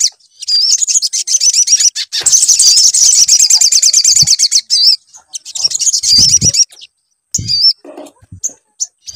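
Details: Sunbird song used as a lure to get other sunbirds singing: high, rapid, twittering trills with looping whistled notes, interrupted by short gaps, with a few low thumps of handling noise.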